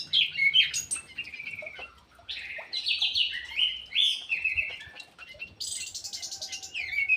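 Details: Ground thrush kept in an aviary, singing vigorously: a dense run of varied, rich warbled and whistled phrases, some buzzy and trilled, delivered in quick succession with brief pauses.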